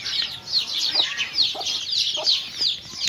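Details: Mother hen with chicks eating: a short burst of continuous high chick cheeping with a few low clucks spaced about half a second apart.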